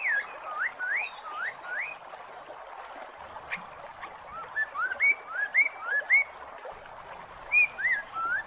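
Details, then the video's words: A Masked laughingthrush (poksay mandarin) call is used to lure a silent bird back into song. It gives short, rising whistled notes in loose runs about twice a second, with thin high chirps from other birds and steady hiss. "Suara pancingan burung poksay mandarin macet bunyi"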